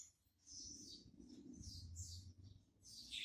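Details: Captive double-collared seedeater (Sporophila caerulescens), a breeding and tutor bird: high, scratchy twittering song phrases in short bursts, over a soft low rumble.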